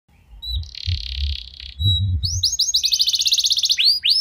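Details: Canary song used as a lure to get other canaries singing: a brief buzzy note, low thumps underneath, then a fast series of rising, upward-sweeping whistled notes, about four per second, ending in two louder upslurs.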